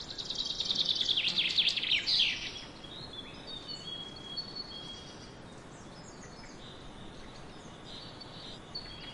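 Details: Swallows chirruping over a summer barley field in the wind: a burst of rapid, high twittering chirps for about two and a half seconds, then fainter scattered chirps over steady wind noise.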